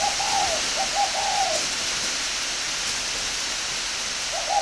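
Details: Aviary-kept spotted dove in Ba Vi, Hanoi, in northern Vietnam: a run of two or three rounded coo notes at the start and another phrase beginning at the end, over constant background hiss.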